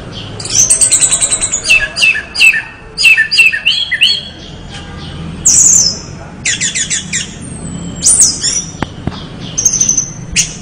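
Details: Orange-headed thrush in lively full song, a rich medley of short, varied phrases: high thin whistles, rapid trills and scratchy chattering notes, delivered in quick bursts separated by brief gaps over about ten seconds.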